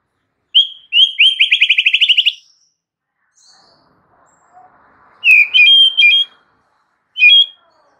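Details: White-rumped shama in vigorous song showing off its repertoire: a sustained high whistle, then a rapid rattling series of sharp repeated notes, a pause, and later several clear bright whistled phrases.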